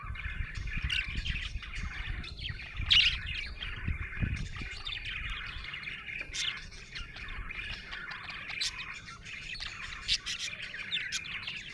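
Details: Budgie chirping cheerfully: continuous twittering chatter with scattered sharp ticks and squeaks, over noticeable low-pitched background rumble.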